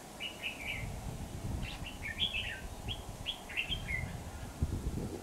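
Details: Red-whiskered bulbul used as a decoy bird for trapping, recorded 28 September 2019: a run of short whistled notes, some rising and some falling, in quick bursts over low rumbling background noise.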